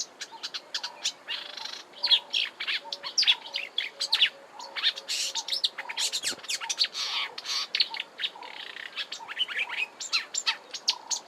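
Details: Song of a marsh warbler in March at Kap River Nature Reserve, Eastern Cape, South Africa, rambling and fast, packed with repetitive notes and mimicked phrases; sharp high chips and buzzy bursts pour out continuously over a soft lower background trill.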